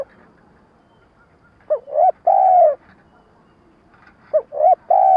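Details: Spotted dove lure cooing used in trapping: two short phrases of quick rising hoots ending in a long level coo, with a faint hum behind.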